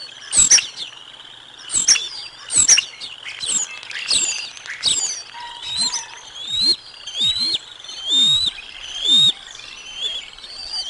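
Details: Bald eagles calling at the Decorah North nest while lunch is delivered to the eaglets, 05 06 2022: sharp high squeals at first, then softer whistled notes that slur downward, repeated about once a second.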